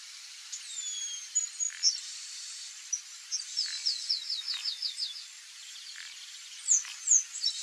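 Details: Chestnut-capped blackbird singing in a marsh; high whistled slurred notes, then a fast buzzy rattling trill of about ten units, followed by further sharp whistles, with faint chirps from other birds.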